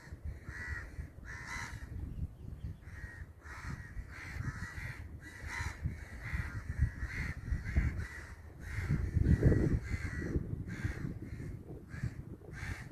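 A crow gives harsh, nasal caws in quick repeated bursts, with a steady low rumble of wind or traffic underneath.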